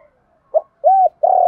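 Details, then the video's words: Spotted dove with a 'giọng đồng' (field-style) voice calling: a short low note, then an arched mellow coo and a longer buzzy, slightly falling coo, all deep and hollow. "cu gay giọng đồng gáy gọi"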